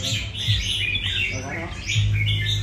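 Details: Several red-whiskered bulbuls at a singing-contest final sing overlapping bright, warbled phrases, over a steady low hum and crowd murmur with clapping.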